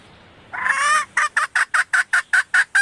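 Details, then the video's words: Female red junglefowl call used as a lure for males: one long, harsh note followed by nine evenly spaced, short, nasal clucks repeated roughly every fifth of a second. "suara ayam hutan betina merah asli/The sound of the original red female jungle fowl"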